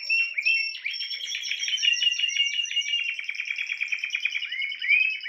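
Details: Unbroken fast-trilled song of a Spanish timbrado canary, with a thin steady high whistle running over rapid pulsing rolls and occasional rising slurs.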